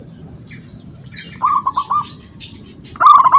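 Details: Local wild zebra dove in vigorous song to provoke rivals: a quiet run of four clipped coos midway, then a sudden louder rolling trill at the end, beneath busy high-pitched chirping of other birds.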